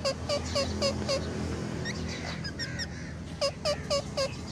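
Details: Ringneck parrots, green and white birds, give a quick run of five clipped, dipping squeaks, pause amid softer chatter, then repeat four more in steady rhythm over a low hum.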